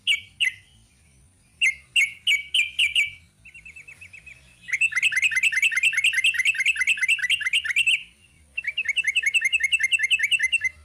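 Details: Long song of a sooty-headed bulbul: a few separate ringing chirps, then a long rapid trill of evenly repeated notes lasting about three seconds, a pause, and another fast even run of chirps.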